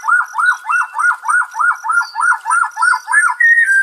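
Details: White-rumped shama song, played as calming therapy for stressed birds: a steady run of arched, whistled notes repeated about three times per second, ending on a brief higher whistle.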